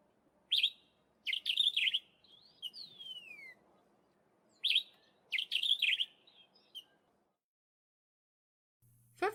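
Sombre Greenbul giving loud, sharp bursts of chattering notes in two spaced groups, with a clear downslurred whistle between them, over a faint low hum.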